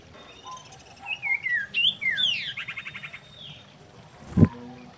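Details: Common iora, described as a female in breeding condition and used as a lure to attract other birds, giving a varied phrase of rising and falling whistled sweeps followed by a fast buzzy trill, then a sharp knock.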